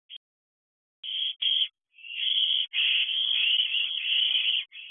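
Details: Owlets at a nest box at night, 9:26 pm on 21 June 2023, several young together: a short burst, then two brief rasps, then a long continuous hissing screech lasting about two seconds before a final rasp.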